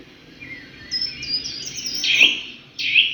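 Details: Bird calls: a few thin high whistled notes, then two louder, sharper, slightly buzzy calls near the end, over faint background noise.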